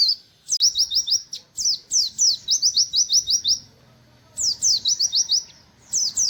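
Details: Rapid high 'wit wit' song of a white-eye noted as buxtoni: crisp descending chirps strung in fast runs, broken by a pause near the middle before two more bursts resume.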